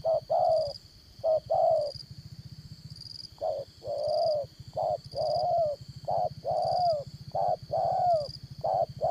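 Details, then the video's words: Trapping-decoy spotted dove with 'đồng son' style voice giving quick runs of short and drawn-out coos, some phrases crowded close together, against a constant low droning hum and faint high-pitched tone. "Bẩy Cu Gáy Dán Cổ, Giọng Đồng Son"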